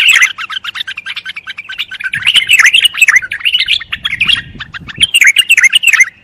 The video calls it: صوت البلبل الجميل